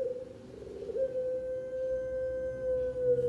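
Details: Pelung turtle dove from a competition line in Central Java, holding one long, steady, pure coo that barely changes in pitch, over a low background hum.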